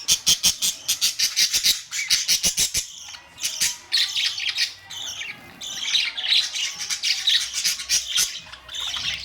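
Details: Several colourful pet budgerigars, May 2, 2023; quick run of sharp clicking chirps, then continuous warbling squawks and chatter.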